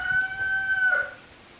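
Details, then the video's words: Hen with chicks, harassed by a rooster while showing her chicks how to drink; one steady, drawn-out harmonic call lasting about a second, ending in a slight wobble before fading into quiet. "Momma Hen & Chicks being harassed by Rooster"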